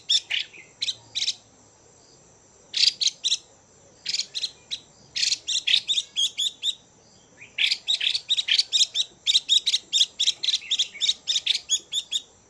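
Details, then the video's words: Captive female Chinese hwamei giving calls that stimulate males: scattered harsh notes, then increasingly long bouts of fast rasping chatter, nearly four notes per second, over a faint steady high hum. "Chim Hoạ Mi Mái VIP Chùi Kích Bổi Căng Lửa Mái Gột Chiến."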